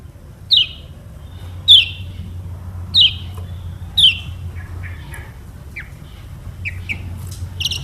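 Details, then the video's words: Single high chirps falling in pitch, about one each second, then quieter thin notes, from a lemon-bellied white-eye (Lombok yellow kecial) played to teach other birds to sing; a faint low hum runs underneath. "KECIAL KUNING PANCINGAN UNTUK BURUNG BELAJAR BUNYI DAN MALAS BUNYI"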